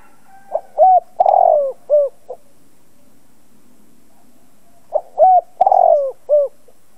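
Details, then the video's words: Spotted dove decoy cooing to draw calls from other doves: two full phrases of low, hollow notes, each building to a long wavering coo and ending in short falling notes, about four seconds apart. "Chim cu gáy mồi cây gáy gọi kích bổi tập mồi căng lửa. Cu đất gáy kích bổi."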